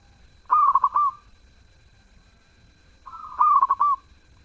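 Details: Zebra dove singing actively with a melodious voice: two cooing phrases about 2.5 seconds apart, each a quick burst of short rolling notes ending in a drawn-out coo, over a quiet background.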